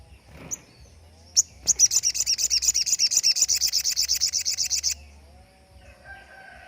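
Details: Sogon delivering the standard shot-like phrase prized by songbird hobbyists as training material for other birds; a single sharp note, then a fast, even, high rattle of about twenty-five pulses lasting three seconds.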